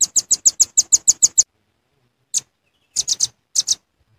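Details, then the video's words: Lure call of the velvet-fronted nuthatch, a fast run of about ten shrill high chips, a pause, then short clusters of two or three similar sharp notes. "Suara Pikat Rambatan Paruh Merah"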